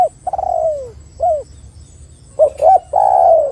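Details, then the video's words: Spotted dove calling as a lure to set off other doves: a long coo sliding downward, then a short hooked note, a pause, quick clipped double notes, and a sustained level coo. Background is calm. "PANCINGAN TEKUKUR AGAR BUNYI dalam 1 menit"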